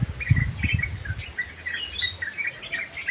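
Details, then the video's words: Yellow-vented bulbul singing in an aviary: lively chattering, bubbly phrases repeated rapidly in a busy chorus, with low thumping knocks early on. "KICAU BURUNG TRUCUK GACOR"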